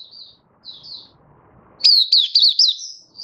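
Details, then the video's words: Malaysian white-eye, kept in the bird hobby, singing in warm, sunny Singapore on 20 March 2023; two faint thin twitters, a pause, then a loud quick burst of four or five slurred high chirps. "Malaysian Mata Puteh Happy Buka Sing"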